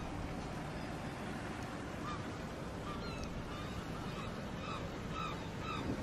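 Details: Gulls at a lake giving short, clipped calls repeated about once a second, some with a sharp upward inflection, over a steady roar of wind or surf.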